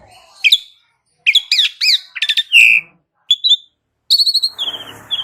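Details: Lively Asian pied starling song meant to prompt other birds into full voice, a jumble of quick looping whistles and clipped chirps in bursts separated by short pauses, ending in a run of high descending notes.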